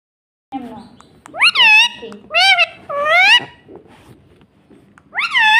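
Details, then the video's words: Pet parrot, a ringneck by the tags, kept indoors and saying words: loud, shrill, strongly harmonic syllables that rise and fall, in three close bursts and then one more after a pause, with faint room noise between. "Mummy mummy bolne wala tota - Talking parrot - Mitthu mitthu"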